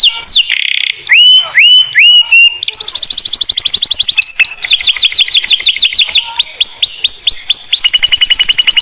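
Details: Canary singing in the morning, played so silent or young canaries start singing: opening looped whistles, then a chain of fast tours of repeated high upslurred notes shifting pitch every second or two.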